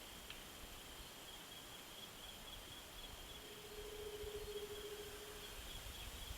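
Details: A curl-crested manucode (Manucodia comrii) in misty New Guinea forest gives one long, low, hollow, ghostly call that holds steady for about two seconds over a constant high insect drone.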